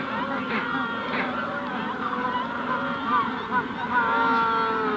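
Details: Close calls of adult Magellanic penguins at hatching time, Punta Tombo colony in the background: rich honking brays rise and fall, several birds overlapping, with short bent notes breaking through the steady colony din.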